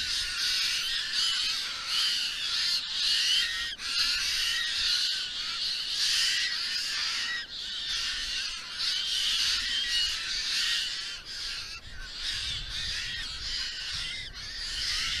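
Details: A group of White-winged choughs at Creek Pond reacts to another group arriving nearby by flapping their tails and keeping up a dense, harsh, grating chatter, many birds calling over one another without pause.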